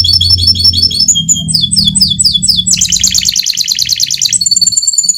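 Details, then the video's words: Rolling song from a fighter canary, offered as master training audio for other canaries: fast rattling trills changing speed and pitch, a dense buzzing roll, then clear high whistles, over a steady low hum. "Burung canary fighter || Suara ngeroll || Cocok sekali untuk masteran || canary mandek.!"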